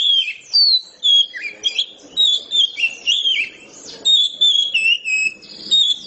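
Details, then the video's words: A steady stream of loud, clear whistles and twittering slides from an Oriental magpie-robin singing in the ngeplong manner, with almost no gaps between phrases. "kacer ngeplongnya kayak gini"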